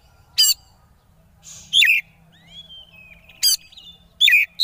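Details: Oriental magpie-robin (kacer) konslet song played to draw rival birds into singing: loud broadband rasps paired with hooked whistled notes, a soft rising glide in the middle, and notes spaced about a second apart.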